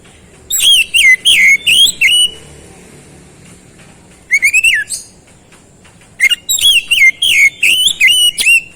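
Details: Kacer, the oriental magpie-robin, in rapid gacor song: strings of bright, looping whistled notes that rise and fall, delivered in three dense bursts separated by short silences.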